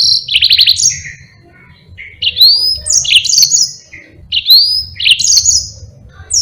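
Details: Yellow-fronted canary singing continuously as a tutor for other birds: fast stuttering trills and clear rising whistles in short repeated phrases, over a soft low background hum.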